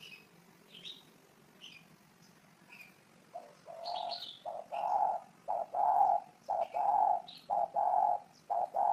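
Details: Spotted dove call starting quietly and then swelling into loud, repeated low coos in rhythmic bursts. Thin, sliding chirps of small birds overhead fill the quieter opening.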